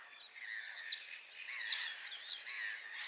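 Common reed bunting giving thin, high chirps in short bursts about once a second over a steady hiss of background bird chatter.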